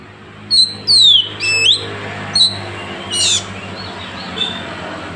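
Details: Oriental magpie-robin 'tembakan' song from Woncoyo, Trenggalek, Indonesia, taken on an Android phone: a few bright descending whistles and sharp swoops separated by gaps, over a steady low hum.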